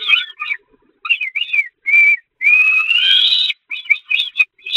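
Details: Peregrine falcons being fed on the nest grating of the Catharinakerk on 11 May 2021: rapid run of short, strident chipping notes that swell into a long, harsh, rising wail, then break back into clipped calls.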